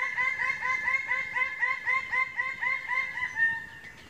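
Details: Greater bird-of-paradise (Paradisaea apoda) gives a loud, sustained run of about fifteen ringing, nasal, arched notes, delivered steadily around four per second before fading at the end, with faint other bird calls behind.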